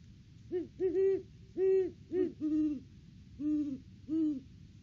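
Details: Male and female great horned owls duetting at the nest tree on a December visit in the off-season: about eight deep hoots, quicker higher-pitched ones answered by slower, lower, evenly spaced notes.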